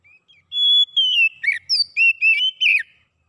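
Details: Oriental magpie-robin song for prompting a silent bird to sing: a steady pure whistle opening into a quick run of slurred, rising and falling whistled notes, with no other sounds.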